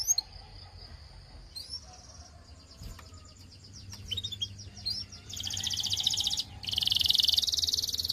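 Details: Belgian canary singing: scattered thin whistles and short upslurred notes give way after five seconds to two dense, high buzzy trills, with faint low hum beneath.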